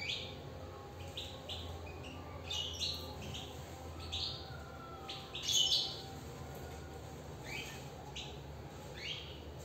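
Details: Caged European goldfinch twittering: clusters of quick, high chirps, with a louder tinkling phrase in the middle, over a faint steady hum.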